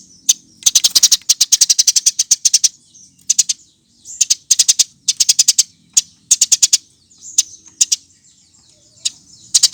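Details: Eurasian tree sparrow compilation lure for prompting birds to sing: almost continuous volleys of rapid high chirps, grouped in bursts of several notes with brief pauses, lively and insistent throughout.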